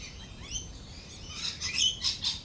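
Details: Lorikeets calling during rolling thunder and lightning: thin high chirps and a few rising notes early, then louder bursts of shrill, scratchy chatter toward the end over a low rumbling background.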